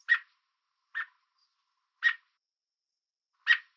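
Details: American robin warning call from a fence in Southern Ontario, Canada: four strong, clipped chirps at irregular intervals near one second, crisp and harsh, with no background noise.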